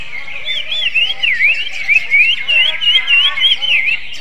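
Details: Greater green leafbird delivering a magpie-robin-style song: a continuous string of clear, looping whistled notes that swoop up and down in quick succession, loud throughout, with faint high chatter behind.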